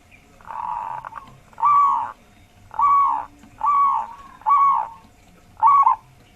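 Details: Local wild zebra dove with a deep, bassy voice, used as a lure for other birds: five drawn-out, hollow coos of about half a second each, roughly one every second, over a faint steady hum.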